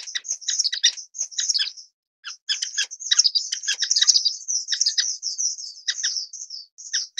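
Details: High, piping chatter from an orange-cheeked waxbill, strings of tiny tweets broken by a short silence near two seconds, then resuming as a near-continuous thin twitter with sharp ticks.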